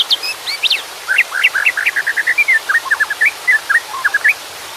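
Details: White-rumped shama song alongside water sounds: a brisk, rhythmic stream of sharp whistled notes, high at first, then mid-pitched upslurred chirps repeated rapidly for several seconds.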